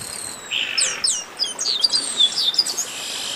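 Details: Short burst of a chestnut-capped blackbird 'baderna': a buzzy note opens, then a rush of high, sharp, downward-sliding chips and bright whistled notes from several birds at once.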